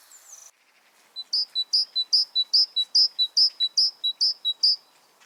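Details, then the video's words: Great tit (Parus major) song: a bright, high two-note phrase, a higher note then a lower one, repeated briskly about nine times in a ringing see-saw rhythm. "Canto Del Carbonero Común"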